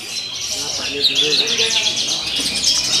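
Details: A caged Horsfield's (Javan) bush lark on a hanging perch pole pours out a dense, fast, high-pitched warbling song of rapid chirps and trills, with faint human voices murmuring in the background.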